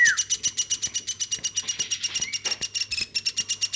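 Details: Hand-raised woodpecker in a room gives a continuous stream of fast, high chattering notes, with a short falling whistle at the start and faint clicks beneath.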